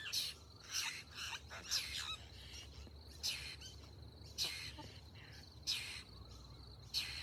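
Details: Baby babbler wanting food, giving short harsh high chirps in bursts roughly every second or so, with faint insect-like hiss and low rumble in the background.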